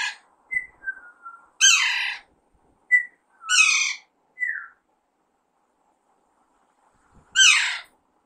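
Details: Alexandrine parakeet, described as a baby bird, giving soft, falling whistles and three loud, rough squawks, with a long silent pause before the last one.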